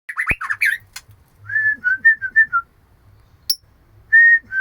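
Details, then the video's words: Female White-rumped shama calling the male: a burst of rapid slurred whistles, then a series of short, clear, level whistled notes with brief gaps, ending in two louder steady whistles; a sharp click early on. "Murai Betina Memanggil Jantan"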